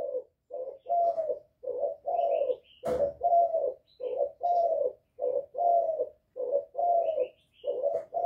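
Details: Spotted dove, a male giving calls meant to provoke rival males: soft low hooting coos in steady runs, about one note per second, with a sharp click near the third second and faint high chirps from other birds.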